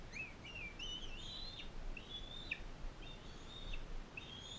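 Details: Bald eagles in care: a non-releasable female guarding and feeding a fostered eaglet from Powell River. Piping high whistles, wavering upward and then dropping sharply, follow one another roughly each second over a quiet low hum.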